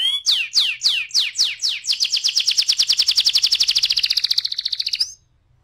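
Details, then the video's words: Rolling 'ngeroll' canary song meant to spur other canaries to sing: a handful of slow, loud downslurred whistles speed up into a fast, even, rattling roll that lasts about three seconds and then stops abruptly. "PANCINGAN TERCEPAT dan SUKSES BIKIN KENARI GACOR NGEROLL"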